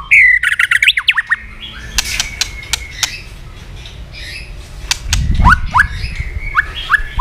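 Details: White-rumped shama, tail flicking, in fighting song: a loud rapid burst of rising whistles opens, then sharp clicks and a high held tone, ending in a run of quick rising notes with a low thump.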